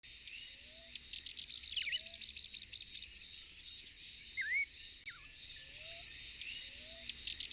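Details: Elfin-woods warbler, endemic to Puerto Rico, singing a very high, thin, rapid series of about fifteen ticking notes, given twice, over a steady insect hum, soft low whistles and a slurred whistle from other birds.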